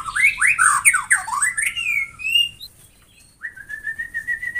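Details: White-rumped shama song, presented to make shamas sing actively: a tumbling series of loud looping whistles rising and falling, a brief pause, then a long, slightly rising whistle broken into rapid pulses.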